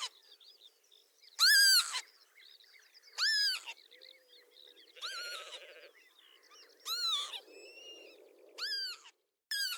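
A Northern Lapwing gives wheezy, slurred 'pee-wit' calls that arch up and then down, about every two seconds. Faint chirps from other birds run underneath.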